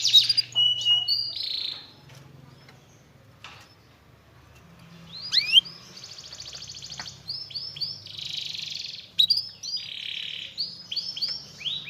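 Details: Canary song used to provoke a lazy canary into singing again: varied phrases of rolling trills and buzzy, mid-high notes after an opening burst, with sharp whistled upslurs and a quiet pause between.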